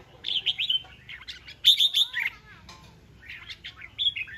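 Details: Displaying decoy red-whiskered bulbul gives loud, clear, rolling whistles and sharp chirps in short bursts separated by brief quiet gaps, with one emphatic phrase near the middle.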